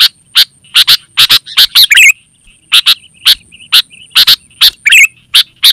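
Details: Sooty-headed bulbul used for luring wild forest birds and tutoring home birds, delivering a fast run of sharp chips, often in pairs, punctuated by two brief liquid warbles.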